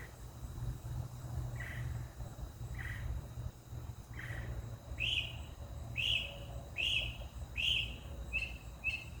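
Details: Mockingbird singing a series of arched, chirpy notes repeated roughly once a second, faint at first and then louder and clearer, over steady low rumbling background noise.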